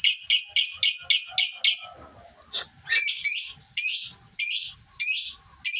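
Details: Young lovebird in training for a longer ngekek: a quick series of about seven buzzy pulses, then single sharp chirps repeated roughly every half second.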